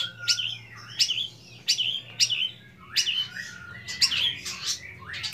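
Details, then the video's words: Young long-tailed shrike singing with mimicked material: high, sharp, downslurred notes repeated about twice a second, each with a short buzzy tail, over a steady low background hum. "BURUNG CENDET MUDA BERMATERI MEWAH"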